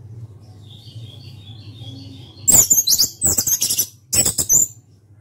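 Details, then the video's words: Orange-headed thrush singing loudly with open beak: after two seconds of quiet hum, bursts of rapid, high, buzzy and scratchy notes in two clusters, with a faint thin whistle earlier in the background. "ANIS KEMBANG SUARA KERAS BUKA PARUH"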